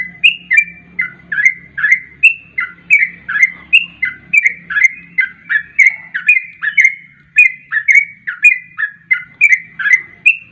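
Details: Sooty-headed bulbul song in the fast 'garuda ropel' style, used as a lure for bulbuls: a steady run of bubbly, slurred whistled notes, each falling or rising, delivered about three per second with a faint low hum beneath.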